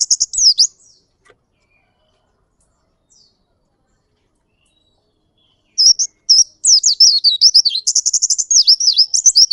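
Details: Pleci Ngalas, an Oriental white-eye singing in long rolling style: a short burst of high chirps, several seconds of near silence, then a rapid, dense, wavering twitter that runs continuously to the end.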